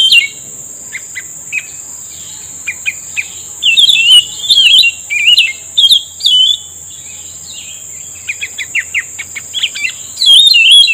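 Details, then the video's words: Bulbul answering a lure while being trapped: scattered chirps, a few looping whistled phrases mid-clip, then a fast run of clicks and a final warble, with a continuous high whine. "pikat burung cucak rumbai tungging udah mengeluarkan rayuan mautnya"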